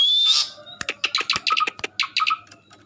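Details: Javan pied starling making a strange call: one buzzy rising note, then a rapid, uneven run of short clicking notes with nasal tones, fading away.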